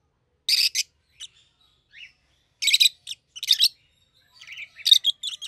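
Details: Pair of caged rosy-faced lovebirds, one yellow and one green, both red-headed: loud, harsh broadband shrieks in short bursts, with softer twittering notes between them, in a quiet room.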